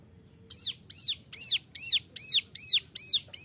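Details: Bar-winged Prinia, a young male used as a model for training other birds, repeats a high arched whistled note eight times at a steady pace of a little over two per second, with a quiet background.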